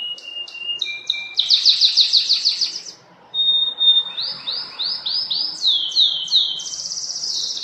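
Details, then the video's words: Canary during mating, singing high and fast: short chipped notes, a rapid buzzy trill, a brief pause, a pure whistled tone, then a rolling series of looping downward-sweeping whistles and a closing trill. "تزاوج طائر الكناري الغالي"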